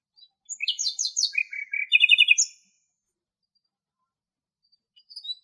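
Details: Nightingale in Greece delivering one rich two-second phrase of tumbling whistles, then a series of fast, evenly repeated notes, followed by silence and a few faint thin notes at the end.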